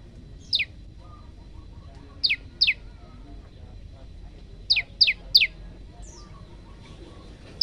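Olive-backed Tailorbird singing sharp, high notes that drop steeply, delivered in quick pairs and triplets. Soft, lower chirps from other birds sit faintly behind.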